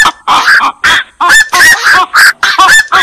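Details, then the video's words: Black-crowned night herons calling: loud, grating honk-like croaks delivered almost continuously, some with a rising-then-falling twang, roughly one burst every half second. "suara burung koak"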